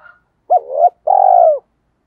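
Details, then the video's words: Captive decoy spotted dove giving its 'gọi hai hậu' calling coo: a brief faint note, then a short arched coo and a longer, slightly rolling low coo that tails off gently. No other sounds. "Chim Cu Mồi Gáy Gọi Hai Hậu"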